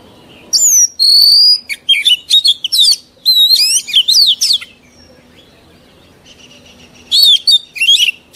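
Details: A mature wild-caught Oriental magpie-robin sings, its song used to train young birds: a long, clear whistle followed by bursts of chattering, warbled notes, then a pause of nearly two seconds and a final short phrase.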